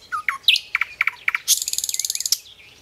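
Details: Common nightingale singing: a few scattered high chirps, then a run of evenly spaced sharp notes, followed by a fast, rattling trill of rapidly repeated notes that ends in one bright accent.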